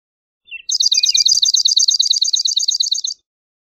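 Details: Swamp sparrow opening with a couple of faint lead-in notes, then breaking into a loud, evenly paced trill of identical chirps that lasts about two and a half seconds.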